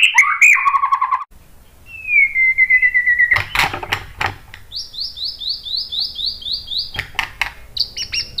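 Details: White-rumped shama song meant to lure other birds into calling back: warbled trills, a long level whistle, then loud clicks and a fast series of high repeated notes.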